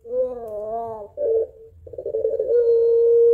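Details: Puter pelung barbary dove calling its mate with a long crying, laughing voice: a wavering hollow coo, a brief rough burble, then a steady sustained tone.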